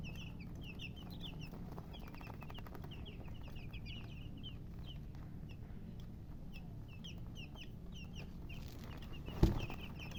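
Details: Colored chickens chirp in high, thin, quick peeps, dense early and sparser later, over a low hum, with one sharp knock near the end.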